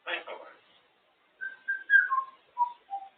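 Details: Pet African grey parrot, a female, amusing herself atop her cage: a brief rough, voice-like burst opens, then after a gap a descending series of short pure whistles, each note a step lower than the last.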